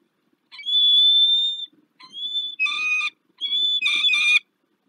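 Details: Wild peregrine falcon calling at its nest on the Palace of Culture and Science in Warsaw, Poland, during a morning nest changeover on 2 April 2023: drawn-out whining harmonic wails, then shorter rasping, broken notes.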